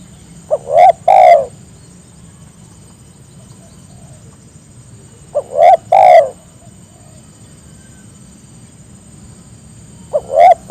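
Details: Spotted dove calling to invite others to join in, repeating its three-part phrase of a short note and two hoarse coos about every five seconds, with quiet pauses between.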